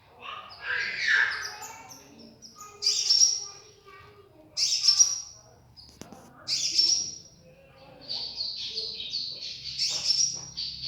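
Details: Konin bird singing energetically: bursts of bright, high chirping twitters and sharp trills come in uneven phrases, with quieter gaps between them and faint low murmurs underneath.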